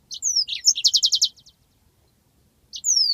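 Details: Master-recording song of a yellow-fronted canary: falling whistled slurs and sharp notes, then a rapid trill of pulsed notes tapering off, silence, and a new phrase starting with a long descending whistle.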